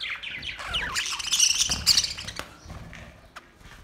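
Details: Budgerigars recorded May 29, 2023, giving dense overlapping chirps and chatter, high and busy, with quick warbled notes and short sharp squeaks building to a loud burst near the middle before fading to scattered calls.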